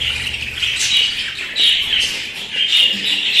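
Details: Pet budgerigars keep up a continuous high, scratchy warble, with buzzy squawks and chirps swelling and fading every second or so. A soft low rumble sits in the background.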